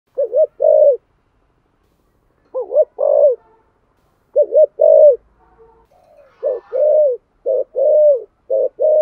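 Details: Spotted dove cooing in a local voice style, used to lure wild doves: clear low cooing phrases of two or three notes, a short doubled coo followed by a longer one, repeated with gaps of one to two seconds.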